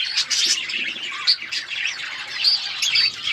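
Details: Budgerigars kept in an outdoor aviary chirping: a dense, continuous chatter of high, quick twittering notes with brief sharp squeaks and no pauses, several birds calling at once.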